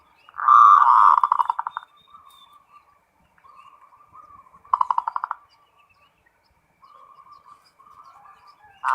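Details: Zebra dove in full ngerot song: loud rolling bursts of rapid trilled pulses that recur every few seconds, with soft low coos between them and a quiet background.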